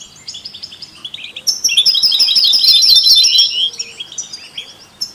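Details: European goldfinch singing with canaries and mules to stimulate other songbirds; soft twittering builds into a loud, two-second run of quick high trills, then fades to scattered chirps.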